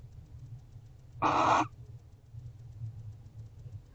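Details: Barn owl pair guarding a nest box house at 5:41 am in December; a single harsh, hissing screech lasting about half a second over a quiet low hum.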